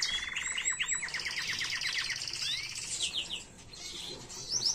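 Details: Canary singing a clean tutor song for teaching chicks, 2022. A rapid series of falling chirps repeated many times a second, followed by varied twittering phrases and brief quiet gaps.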